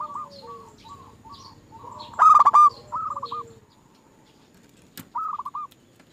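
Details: Zebra doves on a lure track used to prompt other doves to sing. Soft repeated short coos lead into one loud, stuttering coo phrase, followed by further mid-loud clipped phrases and a sharp click.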